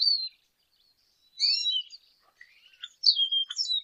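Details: Lesser goldfinch (Spinus psaltria) song in short bursts: a high whistled note, then a pause, a twittering phrase with slurred whistles, quieter scattered chips, and a final bright descending phrase.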